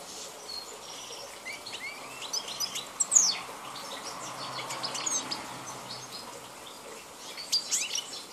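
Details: Wild European goldfinch, Balkan form, recorded 2010, giving a softer, somewhat distant song of twittering chirps and short trills in loose phrases, with a steady hiss beneath.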